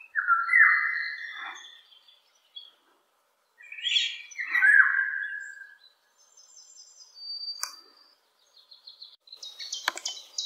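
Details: Distant Eurasian golden oriole singing from high in the trees: two loud fluty whistled phrases about three seconds apart, with thin high chirps and buzzy notes from other birds in between and after.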